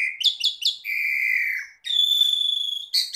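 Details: Asian pied starling (jalak suren) song used as a training recording so caged birds sing vigorously: short rising whistled notes, then a long level whistle, a pause, and a second sustained high whistle before a final burst.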